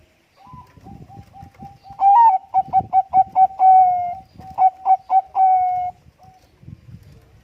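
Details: Bangkok-type zebra dove with a big voice, quick to answer other doves: soft low trilled cooing first, then a loud phrase of a rising note, a run of about six short staccato coos and a long held note, repeated with several more short coos.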